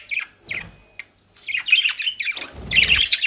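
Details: Indoor pet budgerigars, Den Haag region, Netherlands, with dry leaves and grass: a few short squawks, a pause, then continuous buzzy, warbling chatter that grows louder, with rustling underneath.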